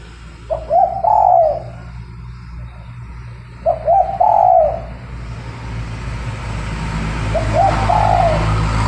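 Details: Decoy spotted dove used to lure doves for trapping, a persistent caller. It gives three cooing phrases spaced about three seconds apart, each made of short lead-in notes and a longer mellow coo, over steady background hum and hiss.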